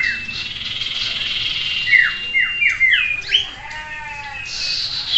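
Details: A sirtu gives a run of sharp, downslurred whistles in quick succession, each a quick dropping note, over other overlapping bird whistles, in a simulated songbird-contest soundscape meant to train a sirtu's mental steadiness.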